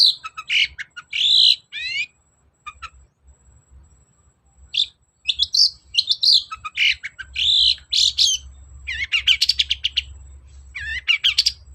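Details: Long-tailed shrike song, used as a lure so lazy shrikes respond and sing. A varied, energetic run of whistled rising and falling sweeps, harsh chirps and quick trills with short pauses, over a steady low hum.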